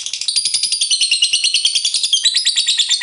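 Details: Lovebird in ngekek: high, scratchy chattering delivered in a quick but uneven rhythm, with scattered shriller squeaks near the end.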